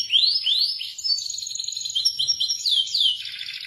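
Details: Melodious song of an Indonesian local canary, a series of rising whistled slurs and short high twittering notes ending in a lower buzzy roll.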